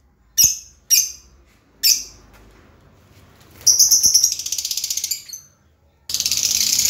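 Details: Lovebird giving three sharp high chirps, then a rapid trilling chatter and a loud sustained raspy burst at the end.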